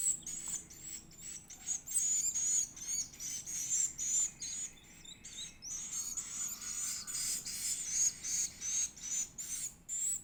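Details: Swiftlet chick of the edible-nest species begging during feeding, giving continuous high, shrill, buzzy chirps in rapid pulses roughly two or three per second throughout, with a faint low hum underneath.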